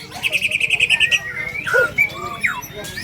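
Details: A caged White-rumped Shama competing in a murai batu songbird contest in Indonesia sings a quick run of about ten sharp repeated notes, then loud slurred whistles, over a low crowd murmur.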